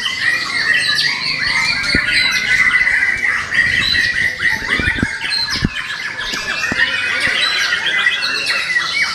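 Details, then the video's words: Young forest-caught white-rumped shama, its song material said to span all of nature; busy continuous warbling and chattering notes, with several sharp clicks and knocks sounding in between. "Murai batu Muda hutan, materinya sealam raya"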